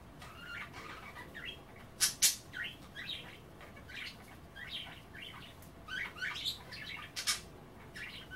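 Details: Budgerigars chatter continuously as they nibble kale and water at bath time, a busy stream of rasping, warbled chirps and squeaky notes punctuated by several sharp clicks.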